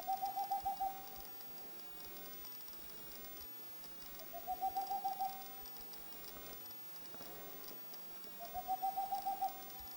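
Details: Boreal owl giving rapid runs of soft, evenly pitched hoots, about eight notes per burst, each burst lasting about a second and repeated roughly every four seconds against a quiet background with faint steady hum.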